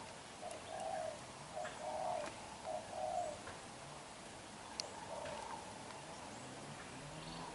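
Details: A young black-eyed wild-caught spotted dove coos forcefully: a burst of four or five rich, throaty coo phrases in the first few seconds, then softer trailing coos over a hushed background with one click.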